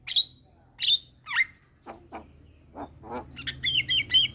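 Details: Javan myna at midday, a young bird calling to companions and drawing replies from other mynas: sharp high whistled notes, then lower harsh rasping squawks and a quick run of bright chirps toward the end.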